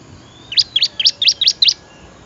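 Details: Bar-winged prinia song for training other songbirds: six sharp, high, chipping notes in a quick even series, each a bright downward flick, over a faint steady hiss.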